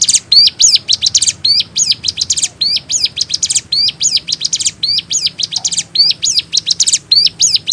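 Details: Ciblek gunung singing energetically with unique variation: a steady run of shrill, high, clipped chirps and bent whistled notes, several per second, grouped in short phrases, over faint background hum.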